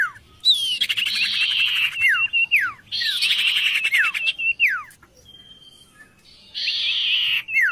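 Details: Oriental magpie-robin delivering repeated phrases of harsh buzzy rattles followed by clear falling whistled slurs, with pauses between phrases.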